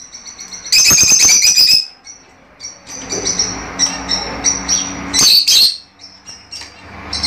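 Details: Fischer's lovebirds singing to encourage pairing and mating: dense bursts of shrill high chirps in two loud bouts, with quieter scattered chirps between them and a low hum underneath.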